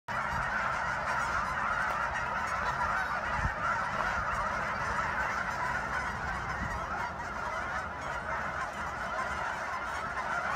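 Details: Geese at Sunset Lake in Guymon, Oklahoma: a large flock honks nonstop, with countless overlapping nasal calls merging into a dense, even roar and a few low thumps in the background.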